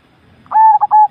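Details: Single cooing phrase from a Javanese zebra dove: two soft quick notes, then two sustained mellow whistled coos separated by a brief break, in a quiet background.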